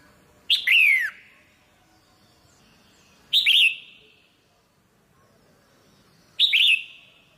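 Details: Female red-whiskered bulbul calling to stimulate the male: three separate phrases about three seconds apart, each a bright chirp followed by a sharp downward-sweeping whistled note.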